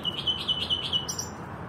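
A common nightingale sings a fast run of about five whistled notes, five per second, then jumps to a higher, sharper phrase. Faint background hum.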